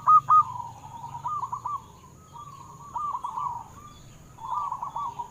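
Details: Zebra dove song meant to stimulate caged doves to sing: quieter, overlapping cooing phrases of quick rolling notes come in three bursts, separated by short pauses, over a low background rumble.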